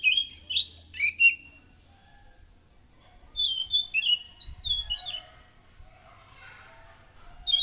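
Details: Thrush (anis macan) song used as a lure to draw in other thrushes, loud and lively: clear whistled phrases that slur up and down, a burst at the start, a longer run after a pause, and a final note at the end.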